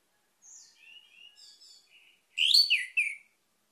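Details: An orange-headed thrush gives a series of soft, high, thin whistles, then a short, loud phrase of full, descending whistled notes.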